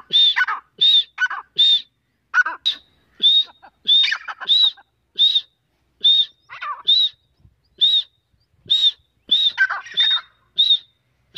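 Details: A female Grey francolin (Francolinus pondicerianus) calls, repeating short, shrill, high notes about once every second in uneven bursts, with a few lower, harsher notes mixed in.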